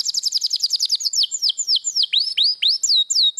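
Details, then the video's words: Canary in intense rolling song, kept as training material for other songbirds: a fast run of high chirps slowing into clear whistled notes that swoop downward, repeated about four times a second. "Kumpulan Vidio Kenari Ngerol parah Pas Buat Masteran kesayangan Anda."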